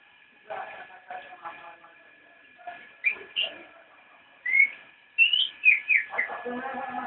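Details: Javan white-eye, or cicak rowo, singing nyinden: soft scattered notes building to loud, rising and falling whistled slurs and chirps near the end, with a steady hum behind.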